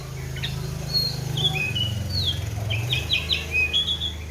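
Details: Oriental magpie-robin kept in a cage, fed seven crickets with regular morning and afternoon baths, giving short thin whistles and quick rising-falling notes, spaced and fairly soft, with a loud low droning hum underneath.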